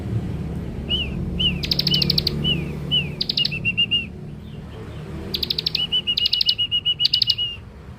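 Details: Young Scarlet-headed flowerpecker singing a lure song: thin, high, slurred tsip notes, some strung in quick even runs, alternating with short dry buzzy rattles, over low background rumble.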